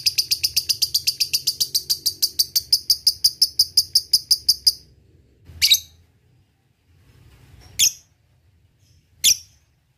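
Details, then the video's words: Lovebird singing to provoke rivals, opening with ticking and moving into ngekek: a rapid string of piercing, evenly spaced chirps for nearly five seconds, then three isolated shrill squeaks separated by quiet gaps. "SUARA BURUNG LOVEBIRD paling di sukai lawan ! Di awali ngetik lanjut ngekek jadikan pancingan jitu"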